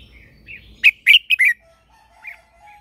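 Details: Red-whiskered bulbul used as a lure bird in morning training; a loud rapid phrase of four bright whistled notes followed by a softer trailing chirp and a faint low tone.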